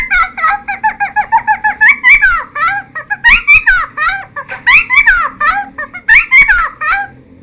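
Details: Cucak timor singing in full variation for training wild-caught birds: quick rattling notes give way to repeated bursts of bright, swooping whistles and harsher chatters, each burst about a second long.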